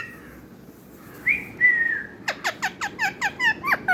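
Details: Talking parrot holding a long, slightly wavering whistled tone, then switching to a fast run of about ten sharp, downward-sliding chirps.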